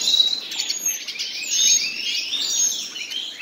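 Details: Song from a pair of common nightingales: dense bright phrases of rising and falling whistles and fast chattering notes, flowing without pause, with a thin hiss beneath.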